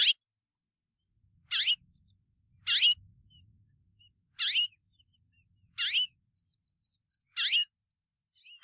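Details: White-bellied Seedeater, also called chorão or cigarra-rainha, one of five song variants of the species: short sharp high notes with a downward sweep, spaced about one to one and a half seconds apart, with faint low rumble beneath.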